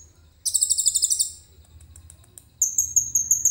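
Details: Caged common iora singing loudly with learned cililin song material, recorded on a phone camera: a fast, high, buzzy trilled phrase of about ten rapid pulses, a pause with faint ticks, then a thin high whistle breaking into another quick trill.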